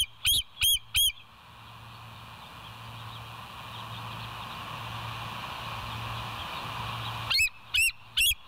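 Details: On a West End bald eagle nest cam at 22:50 on 16 September 2023, three high, sharp piping notes open, followed by a long stretch of low hum and faint insect chirps, then three more notes.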